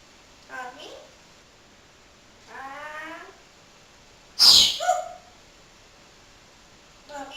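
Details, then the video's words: Pet talking parrot indoors mimicking its owner's sneeze: brief nasal speech-like phrases, then a loud sudden sneeze-like burst, followed by more short voiced syllables and low background hiss. "TALKING PARROT"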